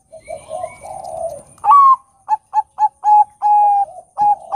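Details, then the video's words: Loud Bangkok zebra dove song, used to provoke other doves to sing. Low murmured coos lead into a bright rising note, then five evenly spaced clipped notes and two long level whistles. "Pancingan Suara Perkutut Bangkok Gacor Kutut Bangkok Manggung Suara Lantang Bikin Emosi Semua Kutut"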